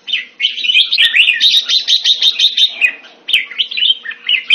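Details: Singapore-kept caged red-whiskered bulbul, Thai style, 2018, delivering a continuous run of loud liquid chirps and warbles, a sustained busy passage in the middle, then a short break before more tumbling notes.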